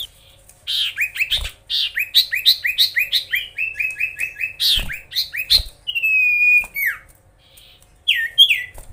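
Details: Magpie-robin in full song, meant to provoke rivals: a rapid run of short chirps and upslurred whistles, about three per second, then a drawn-out whistle that falls at the end, with brief sharp notes afterwards.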